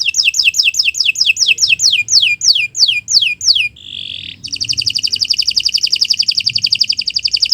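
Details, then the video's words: Canary singing a long training song: a run of clear descending whistled sweeps, a brief buzzy note, then a rapid even trill of repeated syllables, loud and close. "Kicau Burung Kenari 178 II LUAR BIASA GACOR PANJANG Cocok untuk Masteran"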